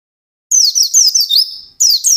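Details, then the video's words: White-eye in vigorous fast song: a loud run of thin, piercing notes that swoop and wobble, followed by a brief gap and another shrill burst. "SUARA BURUNG PLECI GACOR NGALAS CEPAT"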